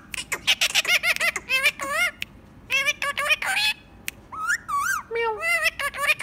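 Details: Ringneck parrot talking in quick, speech-like bursts of harmonic, nasal syllables. Several squawky notes bend down and up, with brief pauses between phrases and a faint background hiss.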